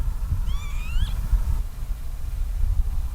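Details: Northern lapwings (Vanellus vanellus) at Paimvere, Pärnumaa, on 6 March 2020: a single slurred, wheezy, rising 'pee-wit', lasting under a second, over steady low wind rumble.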